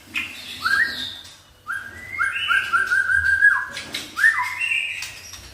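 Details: White-rumped shama released in a breeding cage, tail raised and agitated: varied whistled phrases, sliding and rising notes with short pauses, some higher chirps over them, moderate loudness.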